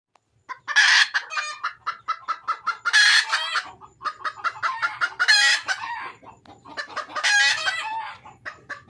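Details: Red junglefowl hen calling for a male mate: a run of loud, harsh, harmonic clucks and squawks in uneven bursts, several louder cackling peaks standing out, about every two seconds, with softer clucking between them.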